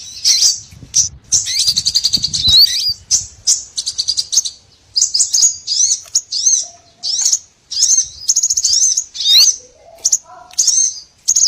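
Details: Small birds in a trapping lure recording: dense, high, buzzy twittering broken into repeated bursts, some with looping slurred notes, and a few faint lower whistled notes late on. Low rumble fades after the opening.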